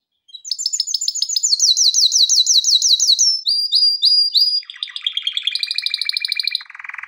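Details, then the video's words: Singing male canary, recorded for training: a long run of rapid rising sweeps repeated several times a second, followed by thin high whistles, a rolling trill and a lower buzzy rattle at the close. "کنری مست برای آموزش/کنری واتر/کناری نر#kenari / آواز خواندن کنری/قناری/کناری canary best"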